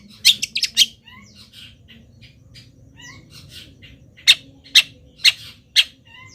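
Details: Local long-tailed shrike, still singing hard while molting, in a song full of mimicked wild-bird phrases: harsh high squawky bursts and short chirps, a quick cluster at the start, then four loud evenly spaced notes.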